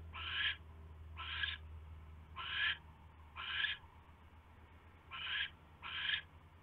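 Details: At the nest on the night of 27 January 2016, an owl arrives with a huge rat; six rough, breathy screeches spaced about a second apart, each half a second long, with a steady low hum.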